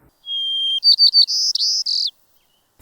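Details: White-crowned sparrow (Zonotrichia leucophrys) song: a long clear whistle, then a few quick buzzy notes and a slurred, trilling finish, all high-pitched and under two seconds.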